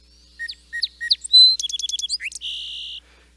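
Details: Song Sparrow song, a winter bird of the Mendocino coast: three crisp, evenly spaced opening notes like warming up an engine, then a bright whistle, a rapid stuttering series and a closing dry buzzy trill.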